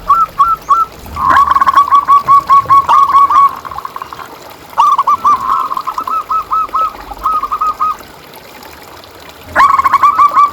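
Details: Local zebra dove used as training and lure song for caged doves: long runs of rapid, evenly repeated soft cooing notes, broken into phrases of a few seconds, with a low background hiss.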